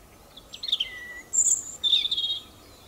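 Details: European robin song phrase of varied high notes: a sweet sliding whistle, a thin very high squeak, then a fast tinkling trill, crisp and close with little background noise.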